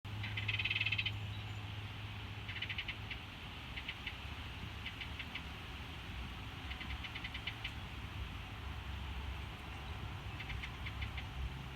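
House wren giving short, dry chattering bursts, repeated every second or two over a low rumble.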